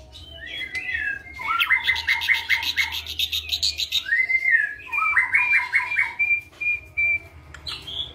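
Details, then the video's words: A captive white-eyed ashy drongo, active daily, sings a varied medley of clear slurred whistles and fast runs of bright repeated notes, with mimicked flycatcher-like (Sikatan Londo) phrases woven in. "Srigunting Abu rasa Sikatan Londo"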